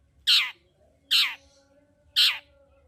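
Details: Long-tailed shrike in full, vigorous song, used as a lure to stir a quiet shrike into singing: three harsh, scratchy, descending rasps spaced about one second apart, with a faint low hum behind.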